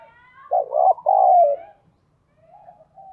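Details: A single loud two-part coo from a decoy spotted dove luring wild doves, short first note then a long falling second, followed by faint soft notes.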